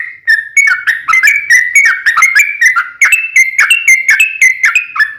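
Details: Sooty-headed bulbul song meant to make other birds respond: an unbroken chain of fluty whistled notes, with a slight rising and falling pitch pattern throughout.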